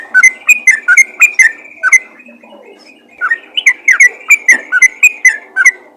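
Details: Yellow-vented bulbul in lively rapid calling, used to call other bulbuls: bubbly whistled notes, rising and falling, in quick bursts with a short pause midway, then a further run of chattering phrases.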